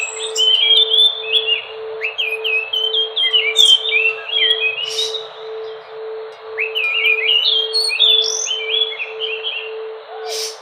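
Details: Chestnut-backed thrush (anis Nusa Tenggara, anis macan), in its natural song, gives two long runs of rapid, varied, high warbling and chirping phrases over a steady low electrical hum.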